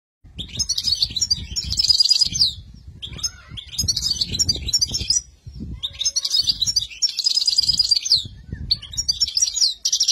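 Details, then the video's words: European goldfinch singing in phrases of a few seconds: bright, tinkling, high twitters and buzzy trills, separated by short pauses, with low background rumble beneath. "Le Chardonneret Toujours le Meilleur"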